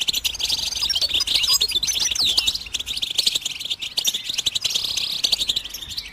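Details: Goldfinch song used to stimulate birds to sing. Fast, jangling twitters and chirps mix with a few sweeping whistled notes and buzzy trills, steady throughout.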